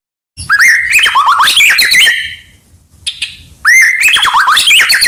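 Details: White-rumped shama singing energetically to teach other birds: bursts of rapid, varied sweeping whistles and harsh notes, a brief pause with faint chips, then another dense, rising burst.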